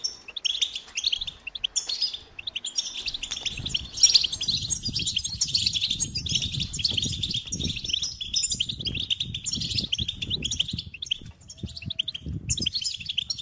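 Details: Goldfinch twittering and chirping in a long, rambling song of high buzzy notes, accompanied by soft low rustling or fluttering noises.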